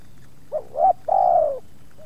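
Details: Spotted dove in a single yard visited by two wild birds, the second resisting slightly; one phrase of a soft lead-in note, a hooked rising coo and a drawn-out gently falling coo.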